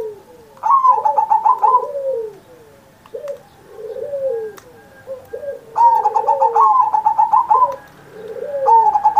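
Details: Zebra dove in full, lively song, used as a training recording on Indonesia's 79th Independence Day: two rolling, trilled coo phrases a few seconds apart, answered by softer, lower, curving coos from another dove between them.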